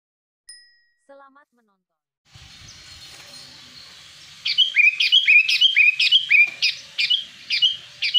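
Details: Wild sooty-headed bulbul, sound used for luring wild bulbuls, giving a fast run of bright, bubbly whistled notes repeated about twice per second in the second half, after a few faint scattered notes and low background rumble.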